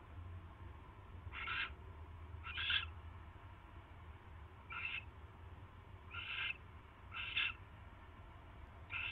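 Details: Nest barn owl on 22 January 2016 at night, a mouse being brought in: six short, scratchy hissing screeches at irregular gaps, some doubled, against a steady low hum.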